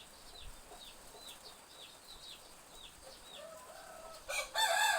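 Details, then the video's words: Chicks peeping in a village backyard on a drizzly morning: high, down-curving peeps repeated about every half second, then a loud, rough rooster crow bursting in at the end. "Suara anak ayam & ayam berkokok"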